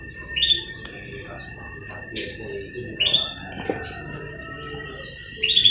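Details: Pet canary during morning care, said to be in breeding condition, giving short high chirps and brief twittering notes at irregular intervals while a person talks nearby.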